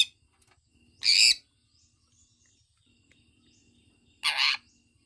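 A sun conure gives two loud, harsh, screechy chirps about three seconds apart.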